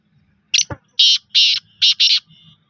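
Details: Black francolin calling in a rasping, grating phrase: a short harsh note, a brief low downward swoosh, two long buzzy notes, then a quick harsh pair trailing into a soft faint tail, against near silence.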